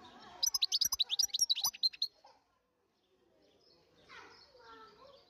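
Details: European goldfinch giving a rapid two-second run of bright, high twittering notes, then a brief quiet pause followed by a person talking softly.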